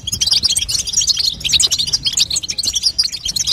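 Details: Female European goldfinch batbata calling, meant to stimulate a young goldfinch to sing. Crowded, sparkling high chirps tumble rapidly in an unbroken twittering stream.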